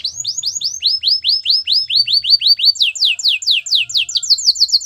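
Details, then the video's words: Continuous canary song of crisp falling whistled notes in tight series, each series at a new pitch, with the pace quickening toward the end. "Your canary will sing unstoppably | Belgian canary singing"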